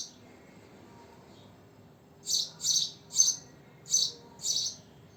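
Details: House sparrow, locally called goreya, giving five short bright chirps in quick succession, each a dense high burst about half a second apart, after two seconds of near silence with faint low background hum.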